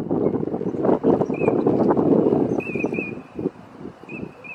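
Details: Eurasian teal swimming on a forest-park pond, 25 March 2017, gives a few short, high, clear whistles, sometimes doubled, over a steady low rushing. It calls with a chest-thrusting movement said to be courtship.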